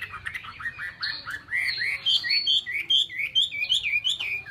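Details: Chinese hwamei, a kept songbird, singing a fluent run of rich slurred whistles, each note swooping up then down, repeated quickly about twice a second and climbing in pitch toward the end.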